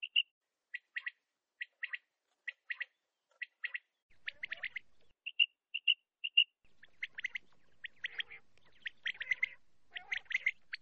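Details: Common quail call used to lure quail for netting, heard as rapid high chirping notes in pairs and short runs, mixed with clear piping whistles and occasional lower nasal notes.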